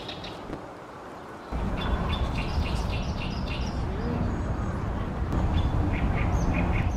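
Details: Oriental great reed warbler singing loudly in late May, 28 May 2020, Ashiya, Japan, from a tall tree beside a reed pond on a fine day: rapid harsh, grating notes repeated in a chattering run, with steady low traffic rumble behind.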